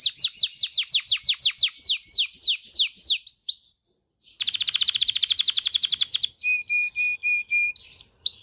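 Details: Excited canary singing to stimulate mating in male and female canaries: rapid series of descending high whistled sweeps, a brief pause, then a fast buzzy trill and steady repeated high piping notes.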